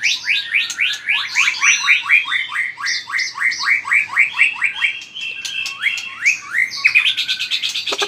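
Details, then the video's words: White-rumped shama, caged, in competitive song with vigorous tail-flicking: a long series of rapid, repeated upward-swept whistled notes, roughly two per second, closing in a flurry of fast sharp clicks. "chòe lửa hót đập đuôi cực mạnh"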